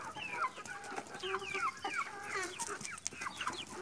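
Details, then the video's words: Several chickens eating in a yard cluck and chirp together in short, overlapping notes, some sliding and squeaky, with a busy farmyard murmur underneath. "Gallinas comiendo en el patio"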